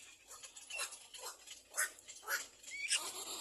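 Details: Hungry little black cormorant chicks beg while awaiting their mother's return with food: harsh, squealing calls repeated about twice a second, one ending in a rising squeak, over a soft rustling background.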